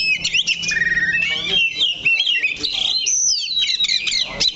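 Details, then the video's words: Caged Oriental magpie-robin on a single perch, singing a buzzy rattle followed by sweeping whistles and rapid twittering notes, loud and continuous. "KACER THE LOCO NANCAP 1 TITIK"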